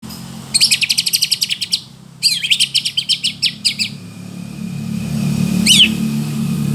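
A white-rumped shama gives two quick bursts of bright, rapidly repeated chattering notes, then a single sharp whistle, over a low rumble of passing traffic.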